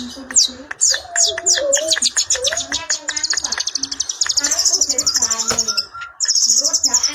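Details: Long-tailed shrike in full klawean song, delivering high, thin whistled slurs and rapid buzzy trills that run almost continuously, broken by short gaps, with some lower tonal sounds underneath.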